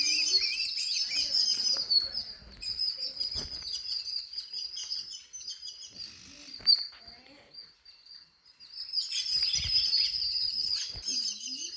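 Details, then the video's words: Indoor bird chirping: bursts of rapid high twitters from many birds, dropping to near quiet midway before the chorus resumes, with a few faint low sounds. "Bird chirping sounds in my home"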